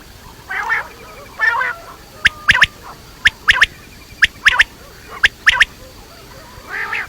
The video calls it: Quail sounds batair ki awaz quail sounds